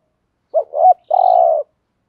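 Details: Spotted dove decoy calling to lure, THÚC GÙ style; one phrase of a wavering double coo followed by a long, even, low sustained coo in otherwise quiet surroundings.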